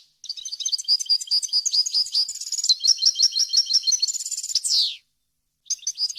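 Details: Tutoring song of a European goldfinch, varied and clean, for teaching fledglings: a long bright chattering sequence of fast repeated twitters and trills that ends on a strong descending buzzy slur, then a new phrase starts after a brief silence.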